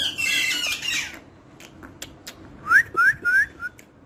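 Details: After an opening harsh, noisy squawk, a parrot produces a quick series of three bright rising whistled notes and a softer fourth, spaced about a quarter second apart.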